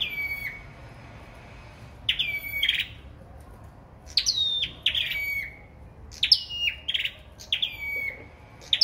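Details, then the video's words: Sâu đầu đỏ singing competitively: sharp high notes that drop steeply into short level whistled tails, given in bursts about every one to two seconds with quiet gaps and a soft low background hum. "Sâu Đầu Đỏ Hót Đấu"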